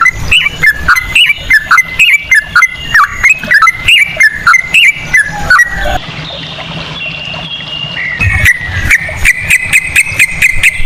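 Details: Sooty-headed bulbul ropel trill in cucak rowo style, played as a lure: six seconds of rapid, bouncing, downward-slurred notes, a pause with a faint level whistle, then another fast run of sharp notes.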